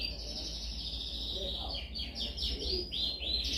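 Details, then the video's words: Canary delivering a dominant-style song meant for training: a sustained buzzy trill at first, then a series of swooping, rising and falling whistled notes repeated in quick succession. "Canção mais dominante de canary para treinagem."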